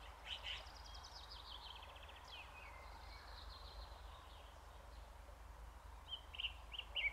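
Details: Red-backed shrike in showy song, mimicking other birds: faint scratchy chattering and high thin whistles and trills, a few brighter chirps near the end, over low steady rumble.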